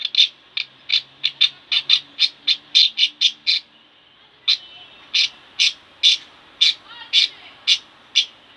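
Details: Sharp, high single chirps from two pet budgerigars at home, repeated about twice a second in a steady series, a short lull midway, then the even chirping resumes.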